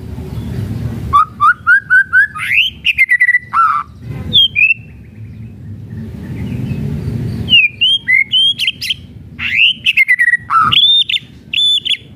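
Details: Kretekan song of the white-rumped shama, played to make other shamas sing. Stepwise rising whistles give way to varied swooping phrases and sharp clicks. A quieter gap with background hum comes midway.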